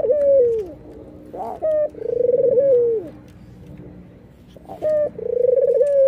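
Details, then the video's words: A white, red-eyed dove laughing and nodding; rolling low coos that sag at the end alternate with short sharp paired notes, repeated regularly against a soft background hum. "suara puter putih mata merah ini ngangguk dan tertawa"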